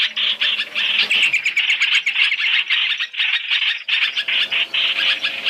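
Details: Black-throated laughingthrush, three-in-one lure for trapping: scratchy, buzzing chatter in short surges separated by small gaps, with some clearer chirps mixed into the harsh stream.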